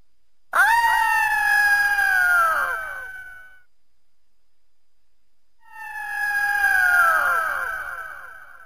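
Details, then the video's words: Eagle giving two long, drawn-out harmonic screams, each about three seconds, starting high and sliding slowly downward, separated by a few seconds of silence. "eagle and its distinctive voice"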